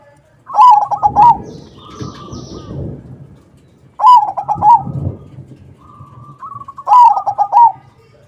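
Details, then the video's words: Lively 'crossing' perkutut song of a zebra dove, played to lure other doves into answering; three loud phrases of a rising whistle followed by rapid rolling coos, about three seconds apart, with softer dove notes and low rumble between. "Suara Burung PERKUTUT CROSSING Gacor, Paling ampuh untuk pancingan -Semua perkutut nyaut."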